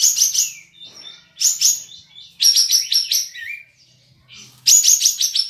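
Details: Caged Olive-winged bulbul (kapas tembak) from Singkawang, West Kalimantan, entered in an online songbird contest. It sings bursts of bright, scratchy chattering phrases with a few gliding whistles, separated by short pauses. The bursts come at roughly one-second intervals.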